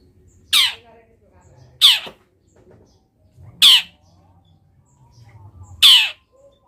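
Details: Long-tailed shrike recorded for a masteran full of imitated wild-bird phrases: four single harsh, downward-sweeping rasping notes, spaced about two seconds apart, against quiet low background noise.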